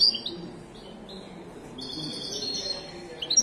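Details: A Moroccan European goldfinch sings bright, high tinkling twitters in quick bursts with a sustained silvery trill in the middle; a low background hum throughout.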